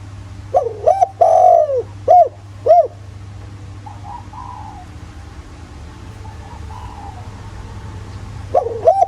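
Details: Spotted dove in 'giọng thổ' style, used as a decoy to stir other doves to coo. A full loud phrase of short notes, a long coo and two arched notes is followed by soft distant coos and the start of another phrase. Low hum persists.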